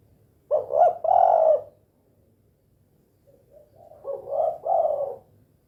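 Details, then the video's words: Spotted dove, locally tekukur, 'kuk 2' call: a short coo and a long rolling coo, then a quieter echoing repeat of the same two-part phrase. "SUARA BURUNG TEKUKUR KUK 2 GACOR"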